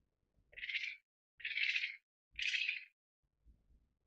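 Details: An Australasian grass owl (Tyto longimembris pithecops) gives three harsh, breathy hissing screeches, each about half a second long and about a second apart, against faint low rumbling.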